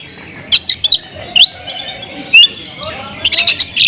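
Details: Oriental magpie-robin (kacer) in a cage giving scattered sharp chirps and short upslurred whistles, spaced irregularly about once a second, with a busier harsh burst at the end.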